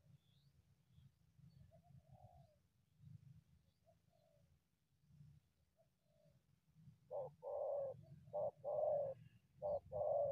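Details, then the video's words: A wild spotted dove emerging from scrub to confront a decoy; faint distant notes at first, then a loud run of coos, short notes alternating with longer ones, from about seven seconds on, with low background hum. "terkukur unik selalu masuk dari semak hajar pikat"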